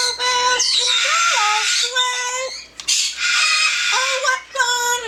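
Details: Singing pet yellow-naped amazon holding steady voice-like notes that step up and down in pitch, overlaid with a strong raspy, gravelly tone, phrases broken by brief pauses.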